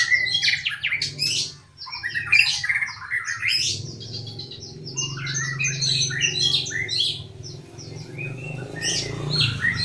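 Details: Dense, melodious magpie-robin song of jumbled chirps, squeaks and quick whistled notes at high pitch, sung continuously over a loud low hum.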